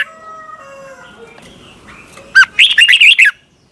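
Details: Thai Red-whiskered bulbul training song: faint steady tones and quiet background, then one loud phrase of a rising whistle and half a dozen fast, looping chirpy notes.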